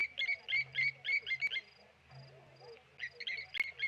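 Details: Mobbing a tawny eagle at Okaukuejo waterhole in Namibia, blacksmith lapwings give rapid, hard metallic tink notes in bursts, a short pause, then another quick run of clinks.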